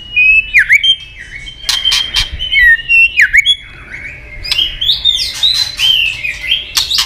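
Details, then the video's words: Female white-rumped shama call to excite fighting males: sharply dipping whistled notes repeated at about two-second intervals, mixed with loud dry clicks and a busy stretch of twittering. "Chòe lửa tạch líu giọng mái kích lửa"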